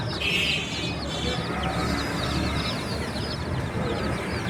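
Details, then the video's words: Baby chickens giving a busy chorus of sharp, high chirps that slide downward, densely layered over a continuous low rumbling hum. "The Chirping Sounds of Cute and Funny Baby Chickens"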